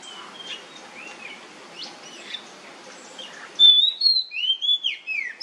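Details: Oriental magpie-robin song in nyemplong style, used as a lure so other magpie-robins will sing: soft scattered whistles over steady hiss, then a loud, clear series of sharp whistled slurs near the end.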